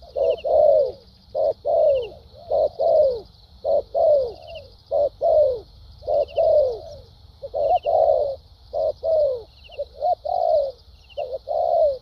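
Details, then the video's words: A spotted dove from Vietnam, kept as a 'đồng' caller and noted for its fighting spirit, cooing steadily for twelve seconds. Mellow coos, many curving downward, repeat about every half second over a constant high buzz. "Đồng tốt tiếng bài bản.clip 870.nết chơi thúc gù,lèo dặm quá hay"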